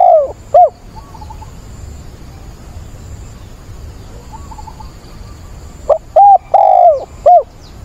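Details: Caged decoy spotted dove calling to find a mate, recorded 17 September. A loud, low three-part cooing phrase opens, with a short note, a long sliding coo and a clipped final note. Another phrase comes near the end, and fainter cooing sounds in the background.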